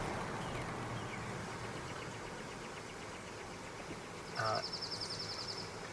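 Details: On a guided tour on 15 April 2023, a quick, smooth, musical trill of identical notes lasting just over a second, over steady outdoor noise; most likely a Dark-eyed Junco rather than the faster chipping sparrow.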